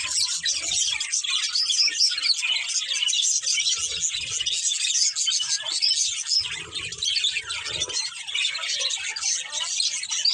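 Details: Breeding pair of budgerigars keeping up a steady, high, chattering warble full of short chirps and squeaks, with occasional low rumbling sounds in the background.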